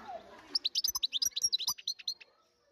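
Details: Wild European goldfinch from 2023 delivering a quick sequence of about twenty sharp, high, tinkling chirps in under two seconds, jingling and slightly varied in pitch, fading into quiet at the end.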